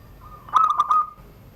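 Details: Zebra dove kept in a cage in Banten, Indonesia, performing the classic surung gdor song under a doorway; a single phrase of four rapid, bright, pulsing coos that runs into a brief drawn-out tail.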